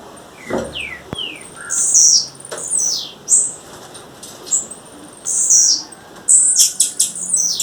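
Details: Female blue-black grassquit calling in the wild with repeated high buzzy down-slurs and short ticks; early on, a couple of lower falling whistles and a sharp knock are heard.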